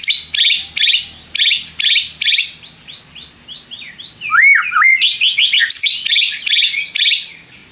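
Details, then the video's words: White-rumped shama lure song for provoking rivals to sing. Repeated harsh chattering notes come about every half second, then curling whistles, a low swooping phrase and a rapid run of bright chirps. "PANCINGAN MURAI BATU PENDONGKRAK EMOSI MUSUH !!! di jamin NYAUT GACOR"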